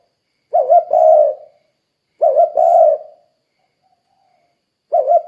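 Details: Actively calling spotted dove played as a lure to prompt other doves to call quickly; each phrase opens with short wavering notes, then a longer drawn-out coo, repeated roughly every two seconds with silence between.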